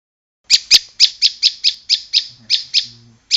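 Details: Bar-winged prinia singing a steady series of about a dozen sharp, high chipping notes, evenly spaced roughly every quarter second, with faint low murmuring near the end.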